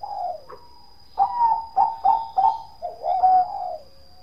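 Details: Bangkok-type zebra dove singing in the deep 'kong' style: a soft opening coo, then a phrase of four or five rounded, rhythmic cooing notes and a drawn-out, wavering final coo, all low and mellow in a quiet setting.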